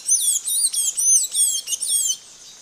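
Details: A blue-gray tanager (Thraupis episcopus) sings a fast run of high, squeaky, slurred notes in about six bursts over two seconds, with music and a thin background hiss.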